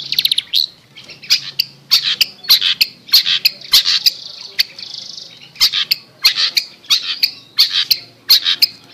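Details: Long-tailed shrike lure recording for a silent shrike: harsh, buzzy, rasping bursts repeated every half second or so, with a short pause midway and a low steady hum underneath.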